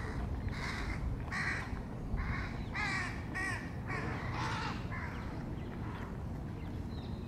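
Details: Crow youngsters around feeding: a rapid series of about eight hoarse, grating caws, roughly two per second, some with a wavering quality, over a constant low outdoor rumble.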